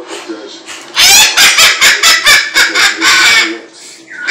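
A cockatoo lets out a loud, harsh burst of laugh-like squawks, about eight quick pulses over two and a half seconds, in a small room.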